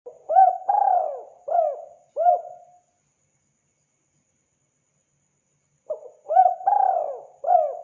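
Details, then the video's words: Spotted dove lure recording for drawing in wild doves: low, mellow cooing phrases of short rising notes and one long falling coo, with two phrases separated by a few seconds of silence. "Mp3 burung tekukur sangat gacor"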